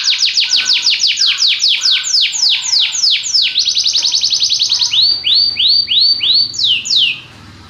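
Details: Belgian canary singing a fast series of bright descending sweeps, about three per second, slowing into spaced rising-and-falling slurred notes before stopping abruptly.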